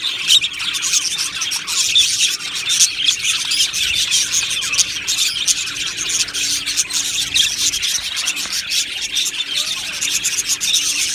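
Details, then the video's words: Colony of budgies in an aviary chirping happily, with dense high chatter, occasional sharper squeaks and squawky notes rising above the continuous twitter of the flock. "Budgie Sounds for lonely Budgies | Happy Budgies Birds Sounds | birds Chirping Sounds"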